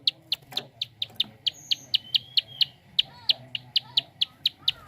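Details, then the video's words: Prinia giving a fast clicking call: sharp high ticks repeated about three times a second, steady and even, with faint chirps from other birds in the background. "Prenjak Klik cepat"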